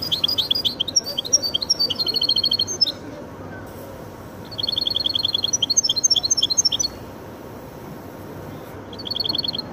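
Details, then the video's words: Song of a goldfinch and canary hybrid delivered in bursts: quick rattling trills of evenly repeated high notes, a pause of about a second and a half, then another long trill phrase, and a final short burst near the end. "هجين ويداني ممتاز"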